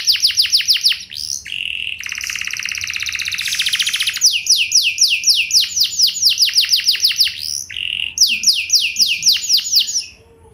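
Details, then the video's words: Canary pouring out an ornate song meant to provoke other canaries into replying: bursts of fast downslurred notes alternate with a steady whistle and a long dense buzzy trill, then more rapid repeated sweeps. "Burung Kenari Lain Bakal Langsung Nyaut! Pancingan Burung Kenari Lagu Mewah Cengkok Joss"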